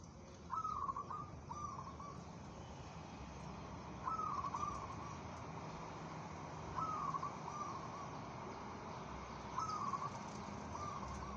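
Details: Competition-ready local zebra dove with a steady temperament, repeating brief trilled cooing bursts roughly every three seconds. Each burst is a quick, rippling stutter over a constant low background rumble.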